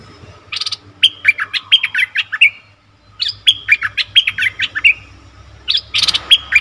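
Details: Lure recording of a bulbul for wild birds: two rapid phrases of clear, bubbling, down-slurred notes, each run lasting over a second and separated by a short gap, ending with a scratchy burst.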